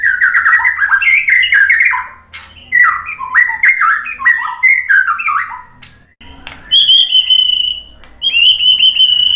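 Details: White-rumped shama song used as a lure to make birds respond: rich, varied run of warbled, slurred phrases, then steady high whistled trills after a pause.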